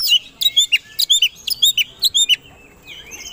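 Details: Oriental magpie-robin (kacer) in aggressive, fight-ready song, used as a lure to provoke other birds. Loud, high, rapidly repeated chirped notes with sharp down-slurred whistles come in quick bursts, then a softer trailing phrase.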